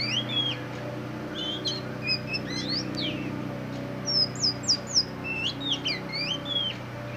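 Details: Black form of Oriental magpie-robin singing: varied clear whistled phrases, slurred up and down and bursting in quick clusters, loudest around four to five seconds, over a steady low electrical hum.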